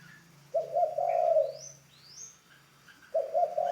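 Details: Spotted dove, a ground decoy bird being trained, gives a low, husky coo phrase of several fused notes lasting about a second, with a second phrase beginning near the end; faint high chirps from other birds sound between the phrases.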